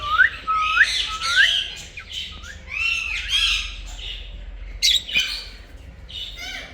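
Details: Talking pet Indian ringneck parakeet, green, giving rising squeaky whistled syllables and loud harsh squawks in quick uneven succession, ending with softer scattered notes.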